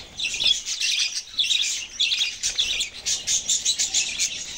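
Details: Budgerigars chatter while eating, with a busy stream of high, scratchy chirps and warbles.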